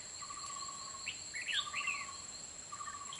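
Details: Agitated caged red-whiskered bulbul used as a decoy to lure wild birds into a trap, Kim Bôi, Hòa Bình, late afternoon, 30 March 2021; a quick lively warbled phrase mid-clip between long even insect-like tones.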